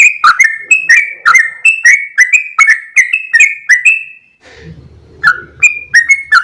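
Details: Sooty-headed bulbul in lively full song of the long 'ropel' style: rapid runs of short whistled notes near the same pitch with sharp clicky onsets, briefly broken by a faint low murmur before the whistling resumes.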